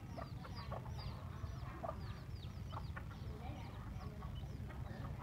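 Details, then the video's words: Chicks with their hen on the way into a Binh Hoa primary school, Vietnam, morning; dense, thin downslurred peeps repeat nonstop above a strong low-frequency rumble of traffic or wind. "Gà Mái Và Một Bầy Con Siêu Quậy"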